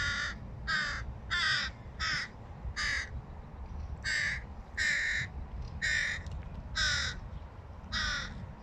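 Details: Talkative hooded crow fledgling attempting to feed by itself utters a long series of loud, hoarse, nasal caws, about a dozen in quick uneven succession, with a low background rumble.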